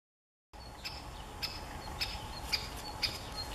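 Great spotted woodpecker giving five sharp, high 'kik' notes about every half second, over a low steady background hum.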